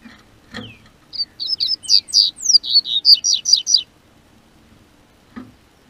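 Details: Double-collared seedeater singing in southern Brazil as spring weather warms, a bird kept by a registered amateur breeder: a quick run of about a dozen high, sharp, downslurred whistled notes lasting under three seconds, with faint knocks before and after.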